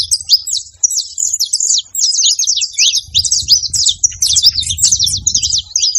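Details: Many saffron finches calling together, a dense continuous chorus of high, sharp chirps and short trilled notes overlapping without pause, with faint low rumbling in the background.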